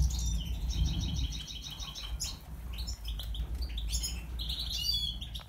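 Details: A pied lutino opal European goldfinch, white-headed, sings a quick, bright twittering of tinkling notes: a run of evenly repeated chips, then liquid trills and buzzy flourishes over a steady low hum.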